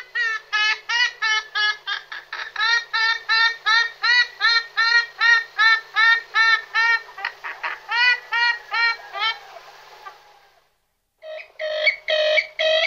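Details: Purple swamphens from several pairs give various calls: a fast run of nasal, honking notes, about two or three each second, then after a brief pause louder hoots resume.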